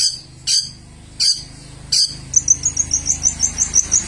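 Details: Several sharp, separated high chirps from a long-tailed shrike, then a quick, even trill of thin high notes, in the song style called peles.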